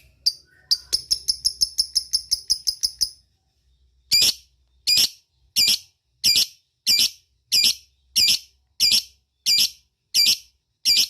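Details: Lovebird calling its companions: a brisk rattle of ticking notes for three seconds, then after a pause a regular series of loud, harsh squawking chirps about every two-thirds of a second.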